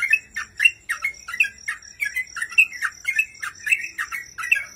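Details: A sooty-headed bulbul in full song on a tutor recording gives rapid, bubbly chattering notes, about two or three bursts a second, bright and mid-high with a squawky edge; a faint steady high tone runs underneath.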